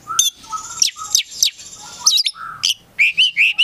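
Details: Song of a kept Oriental magpie-robin (kacer): sharp high chips and short whistled notes, ending in a run of repeated bright whistles, over a faint low hum.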